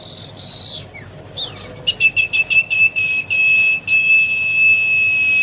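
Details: Young common iora: an opening buzzy note and a soft slur, followed by about ten quick staccato high whistles that merge into a long, even, piercing whistle. Soft background hum.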